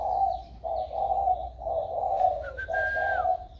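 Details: Warm-toned spotted dove, 16 February 2020: continuous rich cooing in several long phrases, with a high drawn-out whistle near the end and light chirping from other birds.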